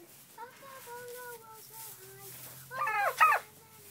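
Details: Turkeys in a barn give a run of soft, level whistled peeps. Near the end comes a sudden loud, rattling gobble.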